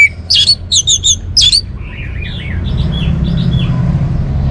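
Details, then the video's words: Song of an orange-headed thrush: a quick cluster of loud, sharp whistled and chattery notes in the first second and a half, then a string of fainter twittering notes over a rising low rumble. "suara burung Anis Merah"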